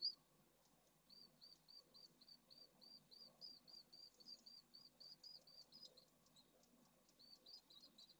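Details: Pallid swift at a nesting colony in Jerez de la Frontera, Spain, during the 2022 breeding season with eggs and well-grown chicks in the nests, gives a rapid run of thin, high chirps, about five a second, over a low steady rumble.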